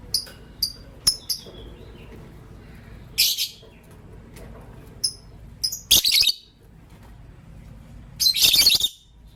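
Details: Green Personata and pastel white lovebirds in the morning: soft, thin ticking chirps repeated at first, then loud, harsh, rasping chirp bursts, spaced a few seconds apart.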